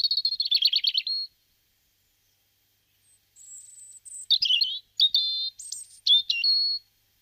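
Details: February song of a European robin in Guadalajara, Spain: a fast trilled phrase of repeated notes, then after a gap a varied sequence of sweet, high warbles and thin whistled slurs, clean background.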